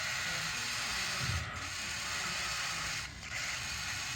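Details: Steady broadband hiss with occasional low rumbling dips, with no bird chirps or other animal calls heard.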